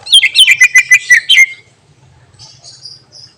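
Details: Greater green leafbird singing a song with mimicked fill phrases that is said to rile other birds. A fast burst of loud, sharp whistled notes sweeping down, about four per second, stops after a second and a half and leaves faint hiss.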